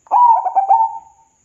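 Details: Local zebra dove singing, used as a lure to stimulate caged doves that are lazy to sing. A single mellow, cooing phrase is broken into four quick rolling pulses and then drawn out before fading.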